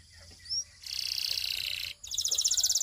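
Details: Russian canary singing: a dense buzzy, rattling passage lasting about a second, a brief pause, then a bright rapid trill of repeated high notes.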